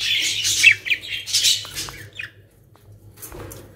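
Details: Short harsh squawks and chirps from caged budgerigars in a Pakistani home collection, loud at first and then fading to near quiet, over a faint low hum.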